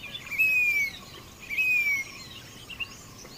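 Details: Two drawn-out whistles from a grey-bellied cuckoo, each falling gently in pitch and spaced about a second apart, with faint high twitters and a light background hiss.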